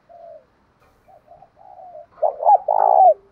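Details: Spotted dove, male and female voices, calling to provoke a fight: quiet short coos at first, then one loud phrase of two hooked notes followed by a long vibrating coo that dips at its close.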